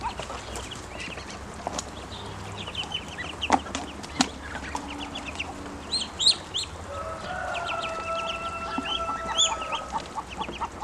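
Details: Hungry, grown ducklings calling: many short high peeps in quick clusters throughout, with a few sharp clicks and knocks, and a steady tonal hum in the last few seconds.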